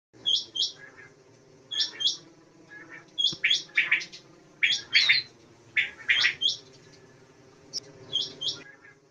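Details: Common quail calls: short clipped bursts of two or three sharp, high notes, repeated irregularly about once a second, with some lower chirps between them and a faint background hum.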